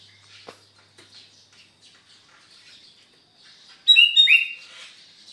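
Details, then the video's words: A sooty-headed bulbul on a Sunday morning in Sukanegeri, East OKU, gives one loud bubbly phrase of descending whistled notes near the end, after a stretch of faint background chirping. "SAMBUTAN PAGI MINGGU DENGAN KUTILANG GACOR, SUARANYA BIKIN SENANG"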